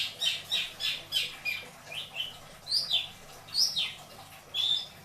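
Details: Pet long-tailed shrike in a cage at Indramayu giving the 'isian dor beledos' song style: a string of harsh, squawky, clipped notes, roughly two per second, some rising or falling sharply, against a low constant hum.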